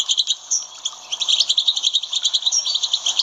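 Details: European goldfinch song for stimulating captive goldfinches: loud, fast liquid twittering with rolling, pulsing chirps and a few drawn-out whistled notes.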